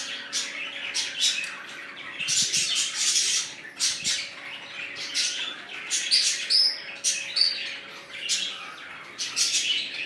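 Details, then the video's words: Budgerigars newly settled in a colony, red-eyed birds among them, give clustered harsh squawks and sharp chirps in bursts separated by brief lulls, over a low continuous hum. "Budgies Parrots New colony"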